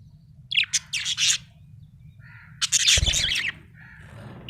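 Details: A happy budgie chirps: two clusters of harsh, buzzy warbling notes separated by soft nasal calls, one low knock mid-way, steady background hum.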